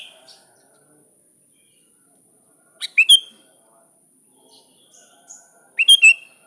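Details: Sooty-headed bulbul calling a rival: two short bubbly phrases of three or four quick liquid notes, about three seconds apart, with a steady thin high whine running throughout.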